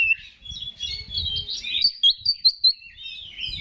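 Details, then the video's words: Oriental magpie-robin song used as a provoking lure for other males: tangled warbled and whistled phrases, then four loud clipped chirps spaced evenly in the second half, with soft low rumbling underneath at the start. "Pancingan Menaikan Emosi K4CER"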